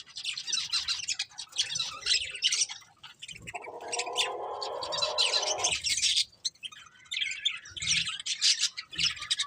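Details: Colourful budgerigars of a breeding pair keep up dense, buzzy, high chatter almost without pause. A lower rough humming band sits under the chirps midway.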